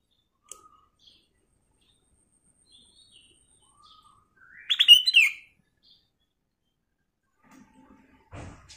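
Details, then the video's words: A golden-vented bulbul singing clear, crystal song used as a lure: a single short, bright warbled phrase sliding quickly between mid and high notes, with long quiet gaps and a faint knock at the end. "KUTILANG EMAS GACOR suara Kristal Jernih"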